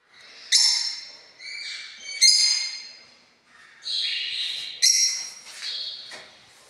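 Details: Pet parrots kept together as a family in a house: loud, harsh, high squawks and screeches in separate bursts, some rising then falling, with short pauses between calls.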